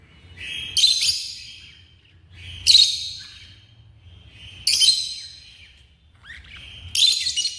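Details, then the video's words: Shrill screeching from pet African lovebirds, four harsh high bursts spaced about two seconds apart, with thin lower chirps trailing after some calls. "My African love birds"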